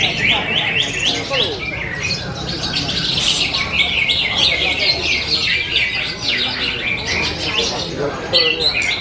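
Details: Greater green leafbird bought at Kepanjen market two months earlier and now a contest winner, singing a dense run of varied high chirps and trills, with speech and background noise throughout.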